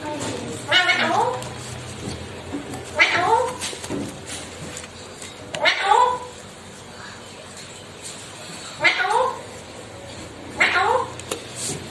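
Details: A talking ringneck parrot, recorded raw without music, utters short, harsh, speech-like phrases, one burst every two to three seconds, over a faint steady hiss.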